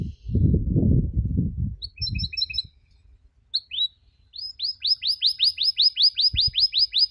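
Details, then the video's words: Training recording of a canary's cuit cuit notes: low muffled rumble at first, then a few short paired chirps, and finally a steady run of about fifteen crisp downslurred chirps at a quick, even pace. "MASTERAN KENARI SANGAT COCOK UNTUK PAUD YANG LAGI BELAJAR BUNYI CUIT CUIT"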